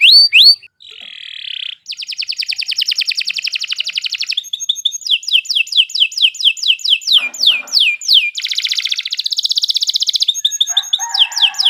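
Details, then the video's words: Canary singing long and steadily for tutoring other songbirds. High whistled notes lead into an extended buzzy trill, then rapid repeated descending sweeps, another rolling trill and a lower rasping phrase at the end. "Kicau Burung Kenari II GACOR PANJANG Cocok untuk Masteran"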